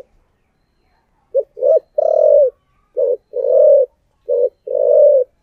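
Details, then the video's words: Spotted dove used as a decoy, 'giọng thổ' style: three quick coo phrases in a row. Each is a short clipped note followed by a longer burred coo, spaced about a second apart. Setting quiet. "cu gáy giọng thổ đặc Mp3/ Tiếng Chim Cu Mồi Giọng Thổ Đặc Sắc"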